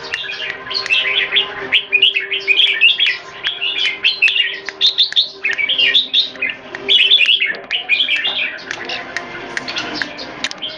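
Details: Red-whiskered bulbuls kept in cages in Singapore, one molting, in a singing contest with other birds: continuous lively chattering and whistled phrases, dense and overlapping, with a soft low hum underneath.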